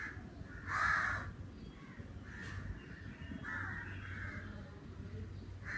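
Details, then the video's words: Summer crow with one loud, hoarse caw followed by several fainter, drawn-out caws at irregular intervals, over a constant low hum. "sounds of the Crow"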